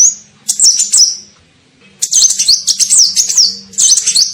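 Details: Sunbird, known locally as kolibri ninja, in a lure recording used to attract birds: a brief high squeak, then two bursts of rapid, thin, zigzagging twitters with sharp up-and-down notes, over a faint low hum.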